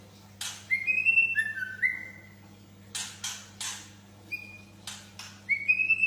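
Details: White-rumped shama song: thin, clear whistles, some steady and some gently sliding, broken by brief crackling clicks and pauses, over a low steady hum.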